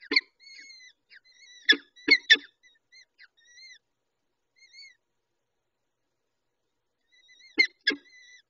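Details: Peregrine falcon chicks being fed at the nest by the adult female: scattered thin, arched squeals mixed with several loud, sharp clicks and snaps, then a quiet gap before more clicks and squeals.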